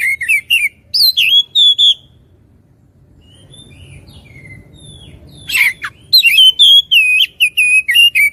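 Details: Oriental magpie-robin singing clear whistled phrases, then a long quiet stretch, a harsh rasping burst, and a fresh fast series of sliding whistles.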